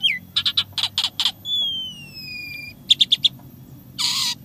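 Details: Asian pied starling in full, energetic song with mimicked fill-in sounds: a quick series of sharp clicking notes, a long smooth descending whistle, four more rapid clicks and a closing harsh rasping burst.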